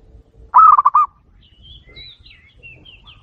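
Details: Zebra dove kerot and bekur song, used to provoke other doves: one quick stuttering cooing roll, followed by thin high whistles and twitters from other small birds.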